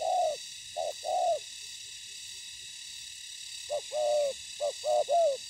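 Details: Spotted dove, a trapping decoy on the ground meeting fierce wild birds: two low three-part coos, a short note then a longer falling one, then a pause and a run of similar phrases, over a steady high hiss.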